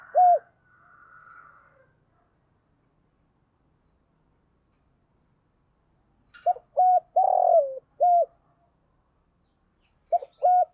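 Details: Decoy spotted dove cooing to lure and provoke wild doves: a short coo, then after a long silence a burst of four deep, rounded coo notes with one longer drawn-out note, and two more coos at the end.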